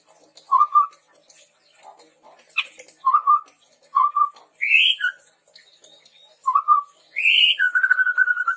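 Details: Chestnut-rumped babbler song used to lure and train birds. Low, clear whistled notes come about once a second, with a few higher rising slurs between them, ending in a pulsed trill.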